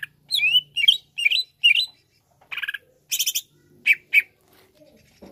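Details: Greater green leafbird, to provoke a leafbird: sharp whistled upslurs in quick succession, followed by a burst of stuttering rattled notes and two loud clipped calls.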